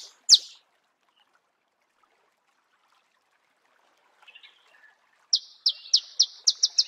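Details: Marico sunbird in natural habitat: a lone sharp high note, a long quiet gap, then a quickening run of about eight bright, clipped notes near the end.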